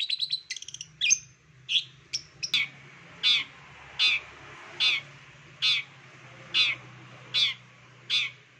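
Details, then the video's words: Long-tailed shrike master song for getting other shrikes to sing: a few varied chirps and whistles, then harsh rasping calls repeated about every 0.8 seconds, over a steady low hum. "CENDET MALAS PUN AKAN NYAUT APALAGI MASTERAN CENDET PASTI BAKAL NARUNG DIJAMIN"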